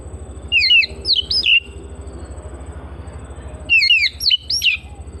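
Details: Oriental magpie-robin kept in a house, delivering two complex phrases of rapid looping notes that swoop up and down, roughly three seconds apart; low droning hum in the background.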